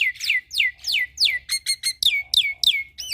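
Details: Young black-winged myna in full song, here repeating one clear downslurred whistle about three times per second, each note sliding from high to lower, steady and evenly spaced over a soft background hum.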